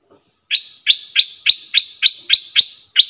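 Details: A sooty-headed bulbul, recorded for training young birds, gives a run of nine sharp, rising chip notes at about four per second, each note evenly spaced.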